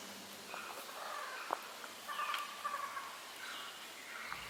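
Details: Orange-footed Scrubfowl in dark, dense tropical rainforest in North Queensland gives a faint, hoarse, drawn-out call that led the observer to find them. It is heard over a steady low hum, with scattered rustling and soft forest background.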